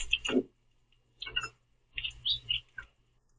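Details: Several Common Grackles squabble over the last sunflower seeds at a backyard platform feeder, chasing and pecking each other, giving harsh, scratchy chacks and squeaky notes in four quick bursts over about three seconds, over a faint low hum.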